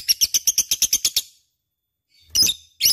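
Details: Lovebird chattering, a lure recording: a quick series of about ten bright high chirps, a pause, then two rough, noisy squawks.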